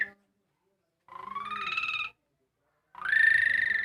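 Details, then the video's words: Song of a Javan pied starling copying a motorbike starter, heard as rough, rattling engine-like whirs: the end of one burst, then two one-second bursts that rise in pitch, the final one louder and brighter. "JALAK SUREN KICAU SUARA STATER MOTOR"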